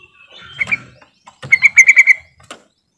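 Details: Lure call of a yellow-vented bulbul meant to coax quiet birds into song: a short pair of chirps, then a rapid bubbling run of about six bright notes, followed by a single sharp click.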